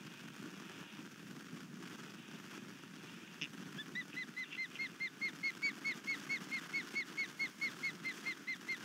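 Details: Osprey at a nest on Skidaway Island, Savannah, Georgia, upset by an intruder in the night, 22 March 2019 around 01:50. After three seconds of steady background hum, sharp upward-hooked chirps begin and repeat rapidly and evenly, growing louder.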